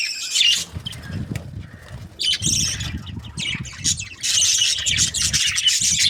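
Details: Happy budgerigar breeding pairs chattering in dense, scratchy bursts of high chirps, broken by short pauses, over steady low rumbling and flapping or rustling noise.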